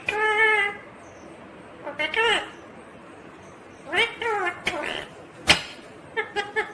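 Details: Talking Indian ringneck green parrot: a steady held syllable, then rising and arched word-like phrases, a sharp click, and a final trio of brief clipped syllables.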